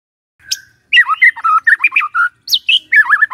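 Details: White-rumped shama morning song meant to set off a quiet shama: a thin note, then a tumbling rush of varied slurred whistles and chatters, with a high sweeping phrase near the end.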